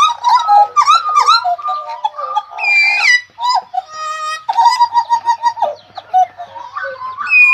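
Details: Hooded butcherbird in lively, energetic song: rich fluty whistles around a steady pitch with strong overtones, quick rising and falling slurs and short buzzy bursts, phrases following one another with little pause; a slightly musical, echoing quality throughout.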